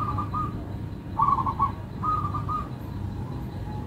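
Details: Local zebra dove (perkutut lokal) giving soft, melodious cooing: three short phrases of quick rolling notes spaced about a second apart, over a steady low hum.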